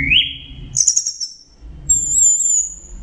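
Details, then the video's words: Orange-headed thrush (punglor) giving part of a 'teler' tutoring song: a rising whistle, a burst of very high chattering notes, then a long thin high whistle over low background rumble. "Masteran Punglor Teler Gacor Full Isian Kombinasi Tembakan"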